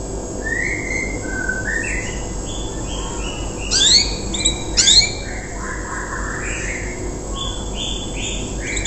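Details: Young untrained canary in Indonesia singing its riwikan song, used to prompt other canaries to copy it; scattered whistled and slurred notes at moderate pitch, with a louder burst of sharp high notes midway, over steady background hiss.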